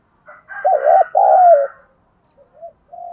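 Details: Spotted dove luring wild birds: one loud two-part coo, a wavering note and a longer falling one, overlaid by a higher harsh call from another bird, then soft brief coos afterwards.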